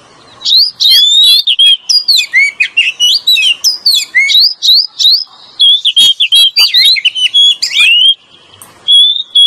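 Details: Male and female Oriental magpie-robin in lure song: long, busy stream of quick whistles, chirps and scratchy notes, varied and rapid, ending with a pause and a final clear whistle.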